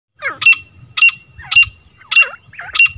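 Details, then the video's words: A female grey francolin gives five loud, shrill notes about every half second, each a short warble rising into a harsh, ringing burst. "original clear female teetar Awaaz | jungle grey francolin female original clear sound"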